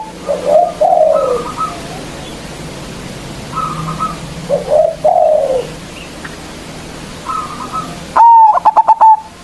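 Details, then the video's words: Loud local zebra dove, played as a lure to provoke rival doves, first gives softer falling coos at a distance, then a sharp, close burst of rapid staccato notes near the end. The background is quiet. "Perkutut Lokal GACOR suara Besar Ampuh memanggil Lawan_EMOSI MANGGUNG PANCINGAN PERKUTUT LOKAL"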